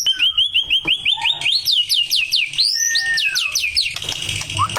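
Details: Male white-rumped shama delivering a rich, varied song: a run of quick repeated whistles, then loud looping rising and falling phrases and a slurred lower whistle.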